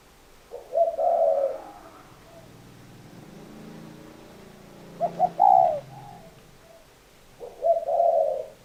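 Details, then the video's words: Spotted dove repeating its cooing phrase three times, each a stuttered lead-in and a drawn-out low hoot with fainter trailing notes, over a soft low rumble. "Tổng hợp tiếng chim cu gáy"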